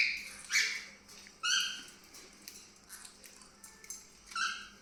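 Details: Cockatiels (Nymphicus hollandicus) in a pet collection give harsh, rasping squawks with bright overtones in short separate bursts.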